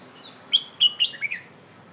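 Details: Red-whiskered bulbul, pleng ho song style for training young birds: five clear whistled notes spaced about a quarter second apart, the last two lower and slurred.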